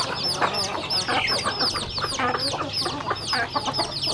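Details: A flock of rural backyard chickens peeping loudly while eating. Rapid, high, arching chirps follow one another several times per second and overlap with clicking pecks at the feed.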